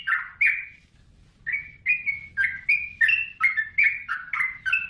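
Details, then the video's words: A yellow-vented bulbul, recorded as a tutor song for caged songbirds, gives a fast run of bubbly chattering notes rising and falling around mid pitch, about three per second, after a brief pause. "Suara Burung Trucukan"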